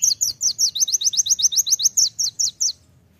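An olive-backed sunbird gives a fast run of about sixteen thin, high, sharp notes, roughly six each second, before stopping abruptly.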